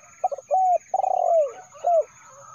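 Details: Spotted dove calling, a recording meant to attract wild doves: quick stuttered notes, an arched level coo, a long pulsing coo descending in pitch, and a closing bent coo.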